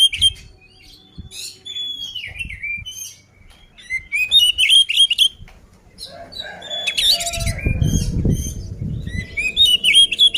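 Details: Fighting song of an oriental magpie-robin meant to make rival birds angry: bursts of sharp whistles, rising and falling trills and harsh scratchy notes, with a low rumble near the end.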